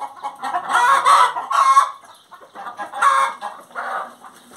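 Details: Hen singing, a run of loud harsh cackling notes in two bursts, each a string of rapid clucks swelling and fading, with a quieter cackle after a short pause.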